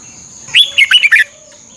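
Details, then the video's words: Red-whiskered bulbul from Thailand, a recording played to train caged birds. One short phrase of about five quick, bright whistled notes that jump up and down. A steady high electronic tone runs underneath. "เสียงนกกรงหัวจุก สำหรับต่อ หรือ เปิดให้นกคึก"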